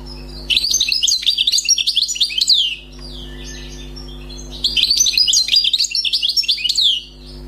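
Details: Recently caught wild European goldfinch sings two long phrases of fast, liquid twittering mixed with buzzy, sliding high notes, separated by a short softer pause. A faint constant low hum is present.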